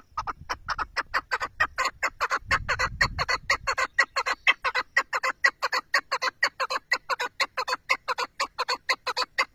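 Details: Chukar partridge keeps up a long, regular series of coarse, clucking calls at a steady brisk pace, with a brief low rumbling sound near the start.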